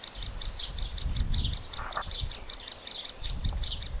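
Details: Nestling middle spotted woodpeckers being fed give a regular train of sharp, high squeaks about three times a second, with a brief lower, harsher note near two seconds and some low rumbling noise.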